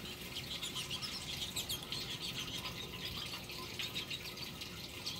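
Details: Lesser goldfinches drinking at a garden fountain, squabbling over the water: dense, rapid, high-pitched chirps and twitters, often overlapping and irregular, over a steady background of splashing, trickling water.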